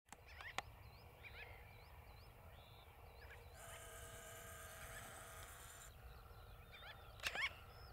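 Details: Black-bellied sandgrouse (Pterocles orientalis) on the La Mancha steppe, Spain, giving a rough, bubbling rolled call for about two seconds midway. Thin high chirps from small birds come before it, over steady low wind rumble.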